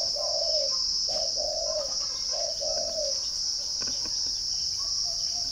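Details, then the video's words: Spotted dove from a bird farm in Ba Vì district, Hanoi, Vietnam, giving soft mellow coos early on, short notes paired with drawn-out descending ones, then quieter calls later; constant shrill cricket buzz behind. "chim cu gáy"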